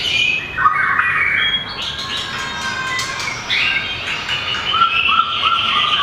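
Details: Competition singing by a mini White-rumped shama with a very long tail: varied whistled phrases and rapid chattering notes, loud and continuous, with short repeated falling whistles at the close.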